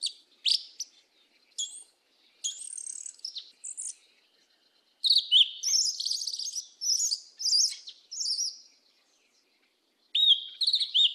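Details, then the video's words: Black yellow-legged thrush, song in the mateiro style of the south: scattered sharp high notes and a buzzy phrase, then a loud, dense run of mixed whistles and chatter, ending in a bright falling phrase. "SABIÁ UNA PRETA CANTO MATEIRO DO SUL"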